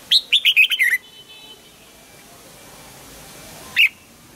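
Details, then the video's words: Double-note wild-style morning song of a red-whiskered bulbul under voice training: one fast run of about six bright, slurred notes that drop at the end, followed after a long quiet gap by a single sharp chirp. "Luyện giọng cho chào mào hót sáng, ép chào mào hót âm kép già rừng hay tuyệt!"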